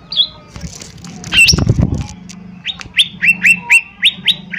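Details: Lesser green leafbird, a gacor (constantly singing) bird, used as a lure to provoke a fast response from others. Sharp downslurred whistles, then a quick series of repeated chirped notes. A loud low thump-like noise intervenes midway.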